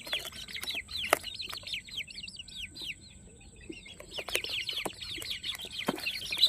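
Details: Chicken chicks on a farm giving a run of sharp, downward-slurred cheeps in fast series, pausing for about a second near the middle before the chorus resumes, punctuated by dull thuds; a faint steady whine persists in the background.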